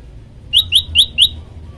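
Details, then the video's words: Four crisp rising chirps from a prenjak lumut, a tailorbird, in an active varied training song. The notes are spaced evenly and quickly, over a soft low rumble. "prenjak lumut gacor variasi"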